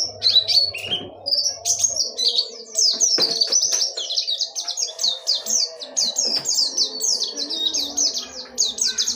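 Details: Pleci, the Oriental white-eye, delivering a ngerol nembak dakun wilis song, a bright, breathless rattle of high whistled notes repeated quickly in long runs, with a soft low hum briefly at the start.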